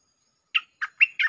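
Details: Bulbul song used as a lure, Jao Bank style with doubles: four short, rich, slurred whistled notes, the later ones rising and run together, against silence.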